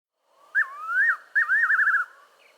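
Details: Fiery-necked nightjar from southern Africa: a clear, slurred whistle, followed after a brief gap by a second whistled phrase that breaks into a quick wavering tremolo.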